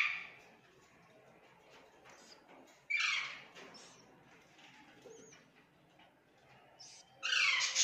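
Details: Budgerigars around hatching eggs give short, harsh, buzzy squawks with faint high chirps in between.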